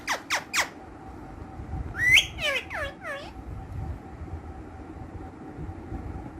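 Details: Three fast falling squawks from pet ringneck green parrots lead into a strong rising screech and a string of four curved, downslurred calls, then quiet.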